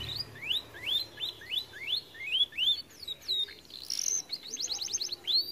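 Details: Singing canary described as too fat and lazy to sing, giving a run of rising whistled slurs in regular sequence, then a quick burst of short repeated notes at the end.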